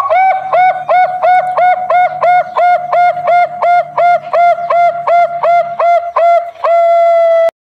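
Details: National champion zebra dove of the Bangkok line, with a sweet voice and long rhythm. It sings rapid, evenly spaced, bubbling coos, nearly three per second, over a faint hum. The sequence closes with a flat, sustained tone.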